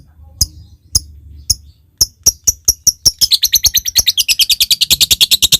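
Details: Lovebird calling a rival, ngetik leading into ngekek: sharp separate ticking clicks that speed up steadily, then run into a fast, continuous, shrill chattering trill.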